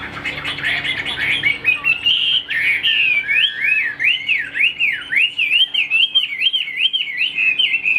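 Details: Chinese hwamei, a caged ornamental singer, pours out a continuous wavy whistle, rapid up-and-down loops repeated about two or three times a second, after a denser, scratchier burst of notes at the start.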